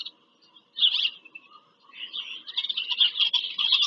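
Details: On 5 February 2023, at the PA Farm Country nest in Pennsylvania, bald eagles give a sharp squealing burst, then a longer rising stream of high, rapid chattering notes.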